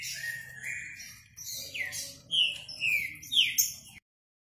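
A green-winged saltator sings a short phrase of rich, slurred whistles, rising and falling over about two seconds, over a faint low background hum.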